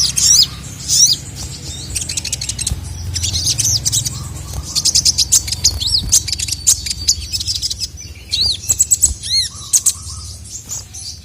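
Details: Sogon (sogok ontong) calls, a female calling and a male answering angrily; fast high chirping and twittering phrases with sharp upslurred whistles near the end, loud bursts over a constant low hum.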